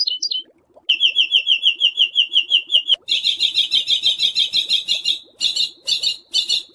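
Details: For teaching pet and contest songbirds harsh 'besetan' shots: quick short notes, a steady fast trill, then a loud grating rattle breaking into choppy buzzy bursts.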